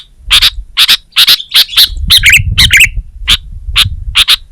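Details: Sooty-headed bulbul (kutilang) delivering paired, sharp chirps in quick succession, with a few buzzy warbled notes in the middle, over a low background hum.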